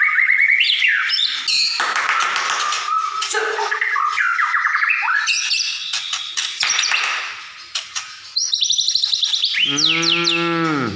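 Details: Kept white-rumped shama from a collection in Comal, Pemalang, Indonesia, used as a lure song to provoke other shamas to fight and sing. Dense, varied whistled phrases with rapid trills and buzzy notes, ending in a harsh, descending, harmonic squawk.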